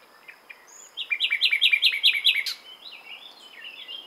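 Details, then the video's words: Common nightingale (Luscinia megarhynchos) song: a rapid run of about seven loud, rich, repeated notes, then a softer twittering phrase that rises and falls. "Słowik rdzawy (Luscinia megarhynchos) śpiew - Nightingale - Die Nachtigall - Le Rossignol philomèle"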